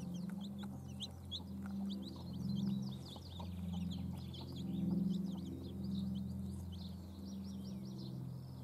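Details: Domestic hens with chicks: a dense, continuous chorus of high, thin chick peeps, each a quick downward slur, over soft low hen sounds and a constant low background hum.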